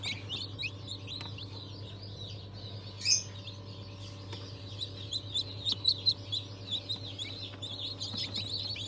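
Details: Fresh hatch of chicks from breeds like Sultan, İspenç and Wyandotte, 22 January 2023; shrill, slightly downslurred peeps from many birds, growing louder and more distinct in the second half, over a low machine drone.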